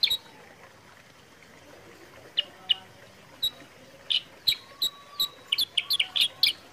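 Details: Sooty-headed bulbul lure sound for prompting birds to sing: a couple of seconds of near silence, then scattered sharp chirps that quicken into a busy cluster of bright, clipped notes, with a soft steady whistle faintly underneath.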